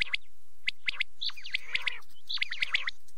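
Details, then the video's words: Quail calling after dark, a rapid series of sharp high chirps and short bright whistles, bunched in groups with short breaks between them. "rat k liye batair ki awaz | quail calling"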